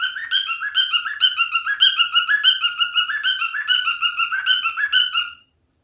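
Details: Male cockatiel whistles a fast repeated song of bright, bending notes for about five seconds, then stops abruptly, leaving silence.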